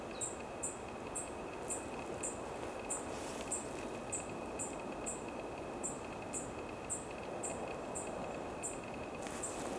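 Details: A Black-faced Bunting in Chiba Prefecture, Japan, on 29 December 2020, gives thin, very high 'tsip' notes, about two a second, over a steady background rumble and a faint continuous hum.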